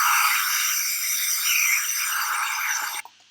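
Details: Loud, scraping, music-like electronic sound fills the recording, then cuts off abruptly near the end, leaving near silence.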